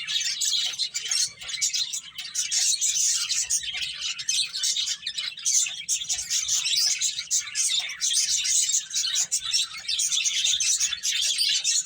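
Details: Finches at play fill the air with an unbroken wash of high, twittering chirps, many birds overlapping in a steady, dense chatter.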